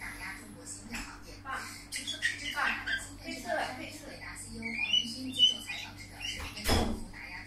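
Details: Budgerigar chatter of squeaks, soft whistles and buzzy clicks continues steadily, interrupted near the end by a single dull knock, with a background hum.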